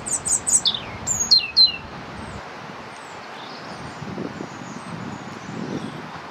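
A European robin gives a quick burst of high, thin whistled notes that slide downward, then falls silent over a faint low background hum.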